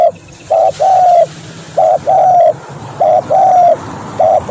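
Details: Tekukur, the spotted dove, calling in a lure recording: a steady series of mellow coos, each a short note followed by a longer one, repeated about every second over a soft hiss of ambient noise.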